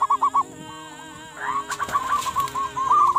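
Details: Local ombyokan-type zebra dove song used as a master recording for training and luring, rapid rolling coos near one pitch in a trilled phrase, with a steady musical drone and other faint tones behind.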